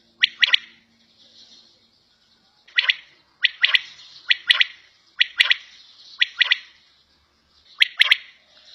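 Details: Battair, a quail kept indoors, calling in clear three-part phrases of short, bright, clipped notes, repeated at slightly uneven intervals with a pause early on. The background is quiet.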